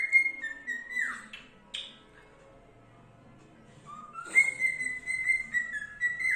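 A cockatiel whistles clear, sustained notes with slight slurs, pausing briefly before resuming.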